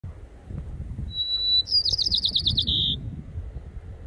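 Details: A White-crowned Sparrow at Fort Bragg near Glass Beach gives one brief phrase: a clear, high whistle, then a quick run of buzzy, stuttering notes ending in a lower trill, over a low background rumble.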